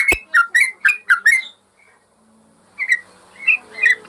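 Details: Yellow-vented bulbul singing on a master recording for training caged birds: a burst of five rich, falling chirpy notes, a short silence, then three more bubbly phrases.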